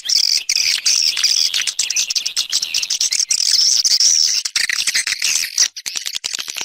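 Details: Swiftlet external sound: a long, dense high chorus of chattering twitters with thin whistled lines, about two to three notes per second, thinning into separate sharp chirps near the end.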